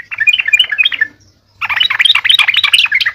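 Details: Sooty-headed bulbul kept as a lure bird, singing rapid chattering bursts of bubbly notes, a short phrase, a pause of half a second, then a longer busy phrase.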